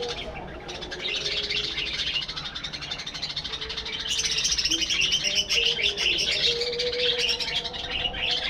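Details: Breeding colony of caged budgerigars: chatter starts thin, then swells about halfway into a loud, continuous wash of buzzy chirps and warbles from many birds, over a faint hum.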